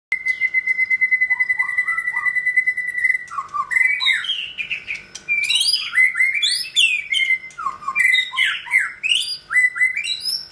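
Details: Caged male white-rumped shama near his third molt, still in song. A long steady whistled note, then a rich varied run of fluting, slurred and sharp high phrases, loud and continuous.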